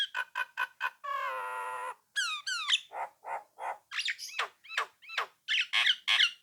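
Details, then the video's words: Nias hill myna singing loudly to provoke rivals into replying: sharp repeated clicks, a long nasal drawn-out note, falling whistled slurs and a fast series of chucks and squeaks in steady rhythm. "suara jalak nias gacor mancing lawan agar nyaut dan ikut ngoceh | pancingan jalak"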